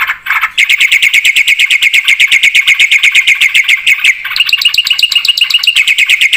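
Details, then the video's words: Nonstop singing from a black-winged starling, full of filler phrases. Quick, scratchy, high notes pour out almost three per second, breaking briefly before a brighter, higher-pitched series resumes. "suara burung jalak putih gacor full isian"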